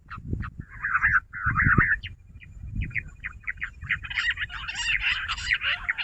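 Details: Jungle bush quail heard on 16 June at a quail trap: two dense bursts of scratchy chattering notes, then spaced single chirps building into a busy, overlapping twittering chorus, with low rumble underneath.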